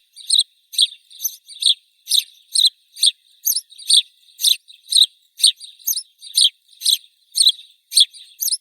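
House sparrow giving bright, slightly harsh chirps repeated about twice a second in a steady, unbroken run, with no other sounds heard.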